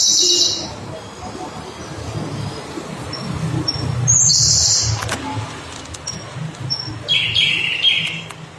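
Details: Siberian blue robin singing: thin high bursts of rapid trilled notes come at the start, middle and end, separated by quieter gaps with faint background hiss and low rumble.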